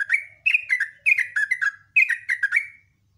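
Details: Sooty-headed bulbul singing in the morning, a bright, fast song: bursts of short slurred whistled notes dropping from high to lower pitch, given in three quick phrases with brief gaps, nothing else audible.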